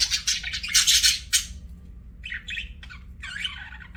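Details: Budgie giving a loud burst of harsh, scratchy chatter for about a second and a half, then a few shorter, quieter chirps and warbled squeaks separated by pauses.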